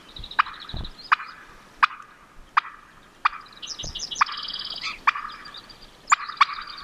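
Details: A wild Merriam's turkey hen clucks while crossing a road on Montana public land: sharp, dry clucks about every two-thirds of a second, with a small songbird chattering high in the background.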